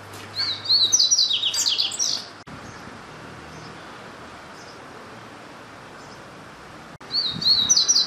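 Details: {'caption': 'Double-collared seedeater singing: a fast, high twittering phrase of sharp chirps and slurred notes lasting about two seconds, then a long quiet pause before the song starts again near the end.'}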